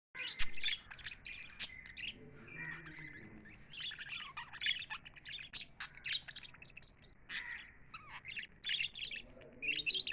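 Lovebirds chirp constantly in dense, shrill squeaks and sharp twitters, several birds overlapping in quick bursts with little pause between them.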